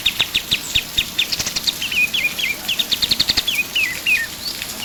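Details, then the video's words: Pied triller singing: spaced bright chips at first, then denser notes, a cluster of downward-slurred whistles, a short fast chip burst, and more falling whistles. "KAPAS TEMBAK GACOR"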